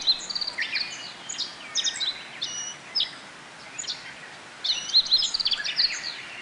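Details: Several Japanese white-eyes feeding on nectar from blooming bottlebrush flowers in a Kobe forest botanical garden, mid-June 2018 between rainy spells; busy clusters of sharp, high-pitched tweets and twitters, with a quieter pause mid-way.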